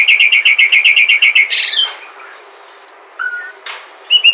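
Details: Lure song of a white-rumped shama from Sumatra for prompting others to sing: a fast, even trill of about a dozen repeated bright notes, a rough burst, then isolated clear whistles after a pause.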